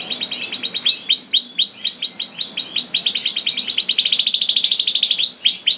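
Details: Continuous canary song, played to trigger singing in other canaries: a fast rattling trill shifts into arched whistled notes about four a second, then a dense rolling trill and more arched notes.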